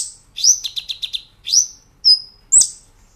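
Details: Brown-throated sunbird in a master recording meant for training cage birds: a rising whistle leading into a quick stuttering run of notes, then separate high sweeping chirps.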